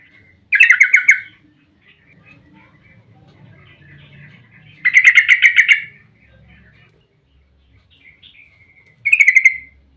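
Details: Yellow-vented bulbul (trucukan) in energetic 'ropel panjang' singing, used as a lure to prompt other bulbuls to answer: three loud chattering bursts of rapid harsh notes, a few seconds apart, over faint low background hum.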